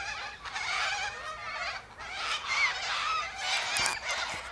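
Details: Sulphur-crested cockatoos, a gathered flock eating seeds from pods high in a silky oak tree, give harsh, raspy, overlapping screeches that run almost without pause, rising and falling in loudness.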